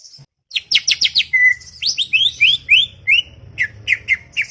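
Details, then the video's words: Greater green leafbird chattering song: a fast cluster of high sharp notes, a long flat whistle, then a series of rising slurred phrases repeated roughly every third of a second over a low hum. "CUCAK IJO cerewet bin bawel"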